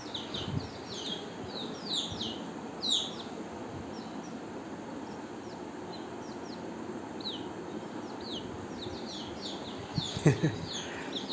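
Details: Several young chickens calling in the morning as they crowd their keeper for food, a daily habit; bright falling cheeps cluster in the first three seconds, then come sparser, with low ambient noise and a brief clatter near the end.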